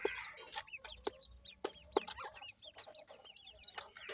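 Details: Grey francolin chicks, described as Iranian brown teetar and kept for breeding, give many short arched chirping peeps that overlap, with sharp clicks and taps between them.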